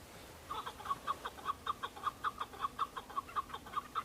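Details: A group of male Chukar partridges fighting and displaying to females on Bamo mountain, Kurdistan, in breeding season; a steady, rhythmic series of clipped chuck notes, nearly two per second, grows louder after a brief quiet opening.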